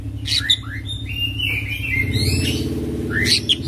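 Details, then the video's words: A brief stretch of Oriental magpie-robin 'ngerol' song: rising slurred whistles and a long thin warble, ending in loud bright notes, over a steady low droning hum. "Kacer Full Isian ngerol gacor dorrr"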